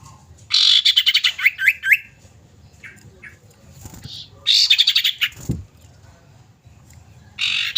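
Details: Female common iora calling to a male, kept as a lure bird: fast rattling chatter of buzzy notes ending in lower descending chirps, then another burst and a third starting, with a soft thump between.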